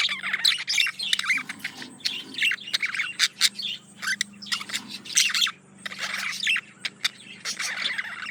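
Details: Male budgerigar courting a female: continuous busy chatter of scratchy warbles, clicks and squawky notes in rapid bursts, with brief pauses between phrases and a faint low hum beneath.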